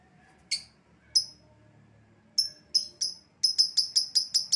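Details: Lovebird calls played to lure back an escaped bird. A few spaced, piercing high chirps speed up into a fast run of about eight rapid, evenly repeated shrill notes.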